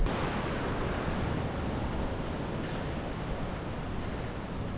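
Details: Heavy wind buffeting the microphone, surf-like and steady, masks everything else, with no bird calls audible.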